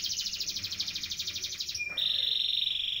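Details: Long canary roll for tutoring songbirds: a rapid, finely pulsed high trill held nearly two seconds, a brief low note, then a smoother, buzzy sustained roll at slightly lower pitch.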